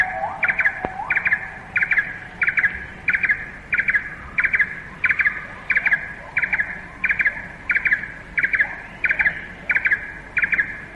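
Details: Little barbet, the commonest barbet in Malayan rainforest, recorded late 1950s–early 1960s, turning to call in all directions: a monotonous series of short, hollow double notes about every two-thirds of a second, with faint forest background.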